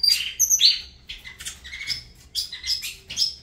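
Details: Saffron finch singing in the Avalanche style, with buzzy high phrases and sliding whistles, repeated in short bursts.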